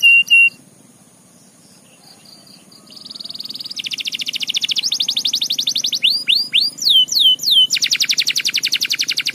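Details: Canary in energetic song meant to spur other canaries to sing: a few short high notes, then long fast buzzy trills, a run of looping chirps, and another rapid rolling trill.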